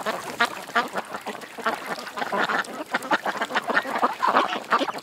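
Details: Ducks at a creek quack busily, with a run of clear nasal quacks near the start and a dense mix of overlapping calls after.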